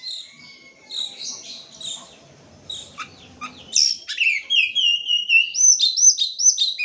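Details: Oriental magpie-robin singing, played to coax birds that will not sing: soft, scattered high chirps over low background murmur for about four seconds, then a loud, rapid, rising and falling whistled sequence.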